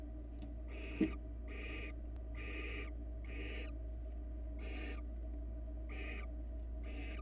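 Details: Barn owl on a Florida nest camera as the male brings a rabbit to his mate: seven harsh, breathy hissing bursts, each about half a second long, repeated at a steady pace under a constant low electrical hum.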